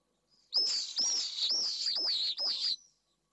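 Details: A pallid swift pair returns to nest 3 in Jerez de la Frontera, Spain, late in the evening after the female's first egg. Five loud, harsh, high buzzy screams follow each other over two seconds, then silence.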